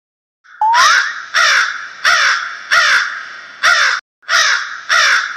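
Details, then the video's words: A crow gives six harsh, hoarse caws, each about half a second long and spaced roughly a second apart, with no other sounds. "બાળકો હવે આપણે કાગડાનો અવાજ સાંભળીએ"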